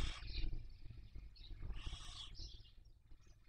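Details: Barn owls at a breeding nest, Cabañeros National Park, Spain, 2023 season, via webcam: a few softer, muffled rasping hisses and brief wheezes over prominent low rumbling noise.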